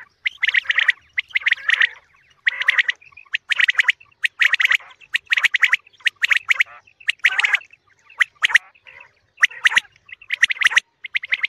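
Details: A common quail, in a recording used as a lure for morning quail hunting, gives harsh, clipped bursts of notes. Roughly one burst comes each second in uneven runs, with brief pauses between groups and nothing else audible.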